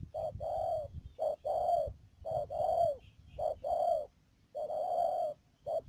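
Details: Spotted dove serving as trapping decoy at Mương Điều, Đầm Dơi, Cà Mau on 12 March 2019, giving clean, low hollow coos: a quick short note followed by a longer swelling one, repeated about every second.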